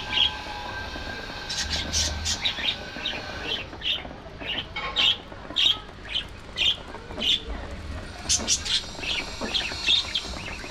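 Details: Budgerigars while eating, giving short, sharp high chirps in loose series, roughly one to two per second, over a soft steady background hiss.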